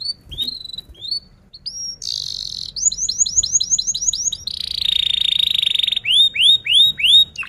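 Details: A canary singing in a lively rolling style, meant to teach juvenile canaries: a few whistles, then a run of rapid repeated chirps, a long buzzy roll, and a series of rising swept notes.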